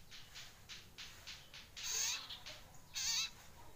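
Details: A collared kingfisher nestling, one month old, still learning its voice: faint, breathy pulses give way to two louder, wavering, slightly quavering notes about a second apart.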